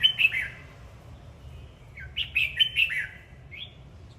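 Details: Red-whiskered bulbul singing while dancing: a brief bright warble opens, then after a pause a longer phrase of about five quick, liquid whistled notes, ending with one lone note.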